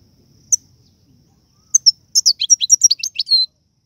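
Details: European goldfinch song featuring the rare tiwawati and galoubi styles plus serfati: a lone high note, then a quick run of bright, liquid, twittering high notes ending in a short buzz.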